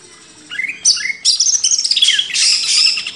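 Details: Master song of a greater green leafbird, used to train caged birds: a short run of rising whistled slurs bursting into loud harsh chattering.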